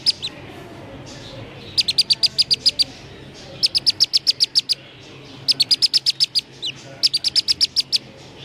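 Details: Black-bellied Whistling Duck chick found at the roadside around 6:30 in the evening, giving a distress call: four bursts of six to eight shrill, high, evenly spaced peeps separated by short pauses, over a low steady background hum.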